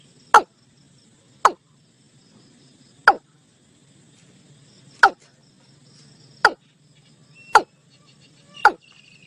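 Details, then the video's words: Calling watercock (gà đồng) used to bring the flock into a net: seven crisp, descending notes about one to one and a half seconds apart, with a steady low hum behind. "Tiếng cúm núm (gà đồng) mới nhất gọi đàn vào lưới."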